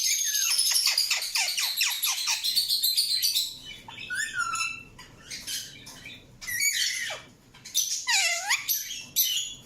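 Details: Indian ringneck parakeet chirping in a rapid burst of sharp, high descending chirps, about four per second, followed by scattered harsher squawks and upswept and downswept whistled notes.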